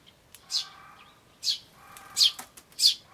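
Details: Tree sparrows, chicks calling "chi chi" with adults nearby, May 2013: four sharp high chirps in three seconds, slightly descending, with a low steady hum beneath.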